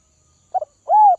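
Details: Captive spotted dove from Northwest Vietnam, being tamed by feeding: a brief clipped double note followed by a single smooth, slightly arched coo.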